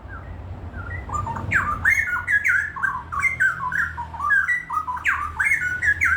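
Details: Straw-headed bulbul singing vigorously; a flowing run of rich, liquid whistled notes that slur up and down in bubbling phrases, with a steady low hum and faint hiss behind.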